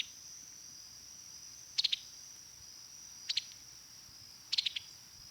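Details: Summer Tanager giving its typical staccato pi-tuck call note, which varies in length and grows longer when the bird is agitated: three quick bursts of two to four sharp, clicky notes, spaced about 1.4 seconds apart, over a steady high insect drone.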